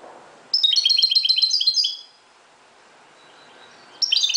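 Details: Moroccan European goldfinch singing at dawn: a bright, rapid run of high tinkling, twittering notes lasting about one and a half seconds, a quiet pause, then another quick twittering burst begins; no other clear sounds.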